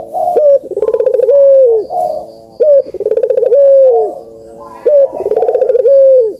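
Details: Cooing Barbary dove, used to stimulate idle birds into calling: steady cycle of pulsed, throaty rolls ending in drawn-out descending coos, roughly one phrase every two seconds.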